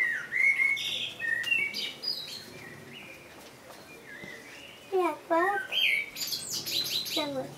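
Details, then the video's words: Continuous common blackbird song: varied mellow whistles and warbles, some rising, some slurred down, followed by a cluster of rapid falling notes and a squeaky high flourish near the end. "Blackbird song - Turdus merula - შავი შაშვი"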